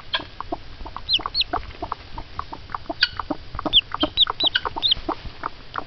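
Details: Mother hen shows excitement on hearing peeps from a hatching egg, clucking quickly and unevenly about twice a second, with high falling peeps from the chick interspersed.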